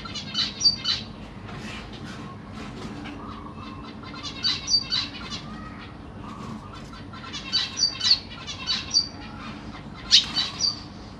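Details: Captive zebra finches, Black Cheek variety: parents feeding three juveniles and three young that have just left the nest, 25 June 2023. Rapid bursts of nasal, buzzy, harmonic calls come in clusters with brief pauses, over soft low hum.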